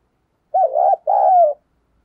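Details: Spotted dove 'thúc gù' and calling coo for luring wild doves: one rolling, wavering coo followed closely by a longer, even, gently descending coo, with nothing else audible.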